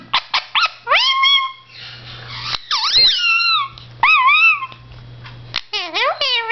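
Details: Pet blue Indian ringneck parakeet talking to himself in a mirror indoors: clicks, then a series of long, harmonic whistled words that dip and level out, separated by short pauses, ending with rapid chattering syllables.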